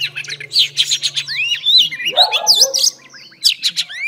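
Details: Female oriental magpie-robin song used to stimulate males: a quick, varied run of sweet whistles, slurred rising and falling notes and sharp chirps over a faint low hum.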